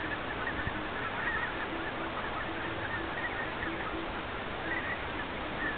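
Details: Many wild greater white-fronted geese with some barnacle geese gather at midday in a meadow at the Düffel, Kranenburg, Germany, on 22 February 2011 to feed and drink before migrating to Siberia. Continuous overlapping honking chatter over steady traffic noise.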